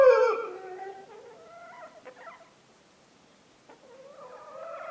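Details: In winter on a farm in the Massif Central, a domestic rooster gives a hoarse, harmonic crow that starts loud and drawn out, then fades; after a short pause a second rising crow begins.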